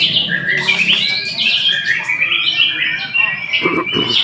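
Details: White-rumped shama in full song: rapid, varied whistles and harsh chattering notes tumbling together, with a few sharper clicks near the end.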